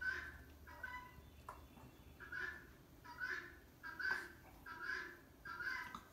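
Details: A female helmeted guineafowl, wary of a rake leaning against a wall, gives harsh, grating alarm calls, repeated in steady bursts just under a second apart.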